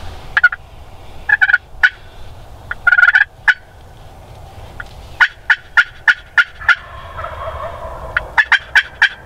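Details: Gobbling from a male Wild Turkey during a snowy spring morning hunt, several separate bursts of quick throaty pulses, some close together and some spaced, repeated across nine seconds.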